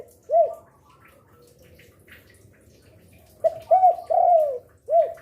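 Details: Spotted dove cooing, said to sing day and night and lure other doves; one lone coo, a pause, then a full phrase of three coos with a long rolling middle note.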